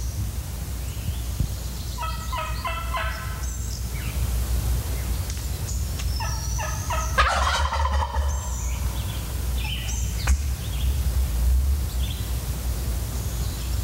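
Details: Male wild turkey, worked up and hunting for a hen, gobbles twice in loud, rapid, rattling bursts answering a hunter's calls from about 25 yards downhill behind brush, over a steady low rumble with faint chirps of other birds; turkey.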